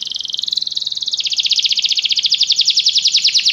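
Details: Canary singing in a training recording meant to make a canary sing: one continuous fast buzzy roll, rising slightly then holding steady, pulsing rapidly throughout.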